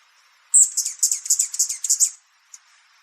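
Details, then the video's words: Allen's Hummingbird giving a rapid run of about ten high, thin, scratchy chips over a second and a half, a feisty territorial chatter telling other birds to get out of its spot. "that's quite a feisty bird he's basically saying get out of here this is my spot to all the other birds in the area"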